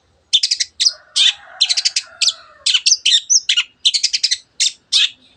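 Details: Lively long-tailed shrike song meant to stir other birds to sing: bursts of rattling, grating high notes in fast groups of three to five, with an occasional clear whistle between them.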